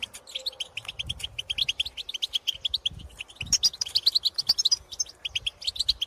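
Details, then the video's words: Wild European goldfinches in the countryside giving chattering 'pitorreo' bursts and contact calls to others of their kind. Rapid high, tinkling twitters come in quick runs, with a brighter, denser burst near the middle. A soft low rumble sits underneath. "𝗘𝗦𝗧𝗜𝗠𝗨𝗟𝗔𝗥 𝗠𝗢𝗧𝗜𝗩𝗔𝗥 𝗝𝗜𝗟𝗚𝗨𝗘𝗥𝗢𝗦 𝗔𝗥𝗥𝗔𝗡𝗖𝗔𝗥 𝗔 𝗖𝗔𝗡𝗧𝗔𝗥 𝗝𝗜𝗟𝗚𝗨𝗘𝗥𝗢𝗦 𝗣𝗜𝗧𝗢𝗥𝗥𝗘𝗢 𝗬 𝗟𝗟𝗔𝗠𝗔𝗗𝗔𝗦 𝗗𝗘 𝗝𝗜𝗟𝗚𝗨𝗘𝗥𝗢 𝗖𝗔𝗗𝗘𝗥𝗡𝗘𝗥𝗔"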